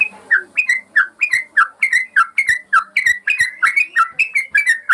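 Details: Yellow-vented bulbul song, used as a master recording to train caged birds that have stopped singing: quick bubbly, slurred phrases that drop in pitch, repeated about three times a second in a steady chattering run.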